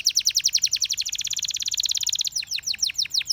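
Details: Canary song: a quick, steady roll of high, sharp syllables repeated many times per second, shifting into slower, downward-sliding whistles near the end.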